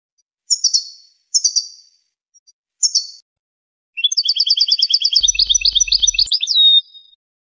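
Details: Tunisian European goldfinch singing: three short liquid twittering bursts, then a fast run of bright, tinkling, rapidly repeated trilled notes ending in a thin downslurred whistle; otherwise quiet.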